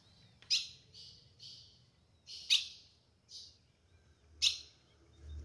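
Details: Female ultramarine grosbeak recorded in the sertão caatinga, calling to stir a male into song: sharp high chips about every second, each followed by a buzzy, hissing high note, with quiet gaps between.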